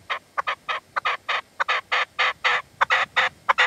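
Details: Partridge at sunset in the sierra near Manzanares, February, with a decoy bird: loud, harsh, drawn-out notes in quick succession, some paired, forming a rough grating chatter.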